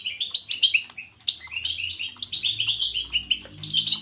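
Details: Caged European goldfinch in lively natural song, bright twittering notes and sharp chirps in quick succession, over a faint low background hum.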